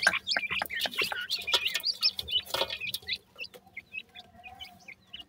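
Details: Francolin chicks, a new jora pair's young, giving many short high peeping chirps with rising and falling inflections, rapid and irregular, with clicks and handling knocks; calls thin out and spread apart in the second half.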